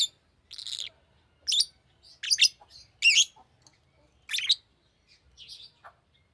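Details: Irregular, scratchy high chirps from a green lovebird, some loud and some soft, about seven bursts in six seconds, ending with a faint squeak.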